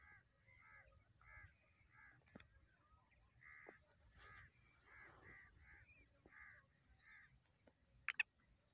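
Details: Black francolin (Francolinus francolinus), call: a rapid series of harsh, grating, clipped notes, about two per second, with a few sharp clicks and light background noise.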